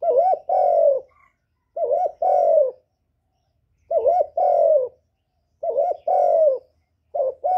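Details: Spotted dove decoy bird calling and cooing, used to stir other kept doves into calling; recorded close with no background noise. Phrases of a short wavering coo then a longer falling coo, repeated about every two seconds.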